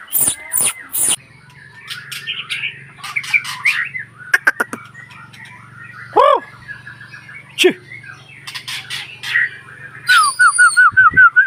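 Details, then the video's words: White-rumped shama singing a varied phrase: loud harsh bursts at the start, scattered chirps and slurred whistles, then a quick rising-and-falling trill of about six notes near the end. A low steady hum runs underneath. "burung murai batu"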